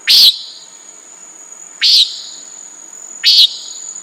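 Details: Three harsh, nasal buzzes from a common nighthawk, each brief and sharp-edged, roughly one and a half seconds apart, with a thin steady insect whine behind them.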